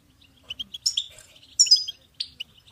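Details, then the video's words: Goldfinch song for motivating songbirds, quieter here: scattered high chirps and short twittered notes with a couple of brighter buzzy bursts over a faint low hum. "Goldfinch ringtones for hunting and high motivation"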